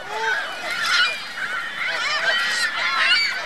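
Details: Recorded 2 May 2013 at Virginia Lake, Reno, where geese gather with goslings: a busy mix of clipped honks and bright, squeaky notes, loud and continuous for the whole stretch.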